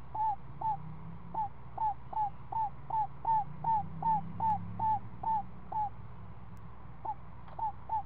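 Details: Screech owl nest with a seven-day-old owlet at afternoon feeding time: a run of short, bent, mid-pitched notes about two or three a second, pausing briefly near the end before resuming, over steady low background noise.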